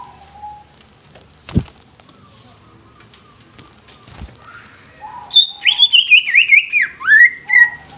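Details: Greater green leafbird song: a fast series of loud, wavering whistled notes sliding down in pitch, about a dozen in under three seconds, after quiet with a couple of knocks and a soft lower call.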